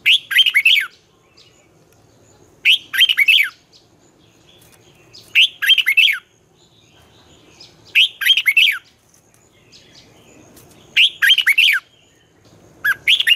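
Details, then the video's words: Red-whiskered bulbul competitive morning song, a twisting-voiced lure recording used to train young birds: bright warbled phrases of several rising and falling notes, repeated about every 2.7 seconds with quiet pauses between. "luyện chào mào hót sáng, Giọng xoắn hay dùng để ép bổi, Má trắng học giọng rất hay, chào mào hót đấu"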